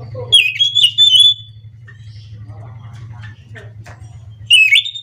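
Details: Anis macan, the scaly thrush, singing at dawn in ngerol manner: a loud sliding whistled phrase opens, quiet scratchy notes follow, and another strong whistle ends it, all over a constant low electrical hum.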